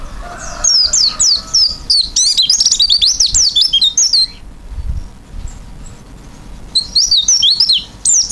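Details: Oriental white-eye (pleci) singing actively with an open beak in 'isian' style. It gives rapid, high, thin twittering phrases of bouncing whistled notes in two bursts separated by a quiet pause of about two seconds.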